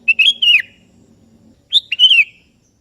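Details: Calling a rival, a sooty-headed bulbul gives two back-to-back bubbly whistled phrases about a second and a half apart, each sliding downward at the end, over faint low humming.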